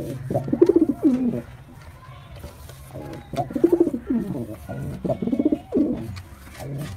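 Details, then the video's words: A male white pigeon gives deep, throaty rolling coos in three bursts about two seconds apart, with a low hum in the background. "Pigeon Sound Effect male pigeon Super Performance"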